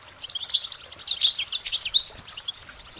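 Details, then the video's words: Goldfinch in full song, a fast, musical tumble of bright, high warbling notes in two or three close bursts. "Uplifting Chirpings Motivational Goldfinch Singing their Song"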